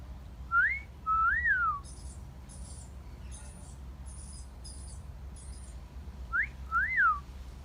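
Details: Garden parrot producing two wolf whistles, each an upward flick then a rounded rise-fall, separated by a run of high, thin twitters from other birds.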